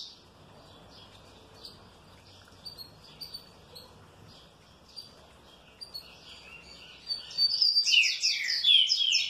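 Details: Trinca-ferro (green-winged saltator), well kept, answering happily: a few soft, scattered high notes at first, then a loud, rapid run of descending chirped notes building into a dense, bright burst near the end.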